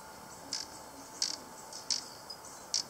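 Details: Black-tailed trainbearer in Colombia: four short, sharp, very high ticks spaced irregularly about half a second apart over a quiet, steady background hiss.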